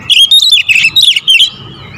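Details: Rapid-fire 'tembakan rapat' lure singing from a magpie-robin, a short dense run of bright chirps and whistled notes packed tightly together, then stopping abruptly.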